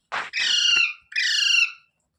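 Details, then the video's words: Rose-ringed parakeet screeching: a short rough burst, then two drawn-out, harsh, nasal squawks in quick succession, each close to half a second long, loud and grating against a silent background. "Funny Parrot Sounds Videos | Tote Ki Awaaz"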